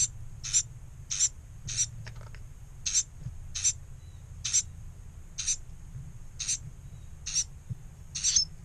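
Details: Two surviving Carolina wren chicks of four, in a nest inside a pump-house, May 1, 2018, minutes after a tray of mealworms was set out; high hissy bursts repeat about every three-quarters of a second, over a steady low hum.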